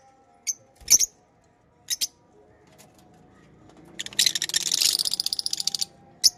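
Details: Pet lovebirds with a few sharp high chirps early, then a loud stretch of rapid buzzy chattering notes lasting nearly two seconds, ending with one more shrill chirp; faint hum in the background.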